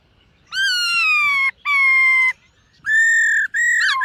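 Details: Silver-eared laughingthrush singing in morning voice-training practice: long, clear, strongly harmonic whistled notes held about a second each, a short pause, then higher sustained whistles ending in quick rising flourishes. Background quiet.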